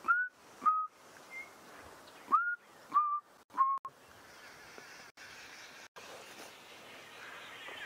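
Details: Chinspot Batis (Batis molitor) calling on a sunrise drive, November 25, 2016, after rain, among trees in thick drainage-line bush: clear, pure whistled notes, about five in four seconds, each a little lower, over a soft outdoor rumble.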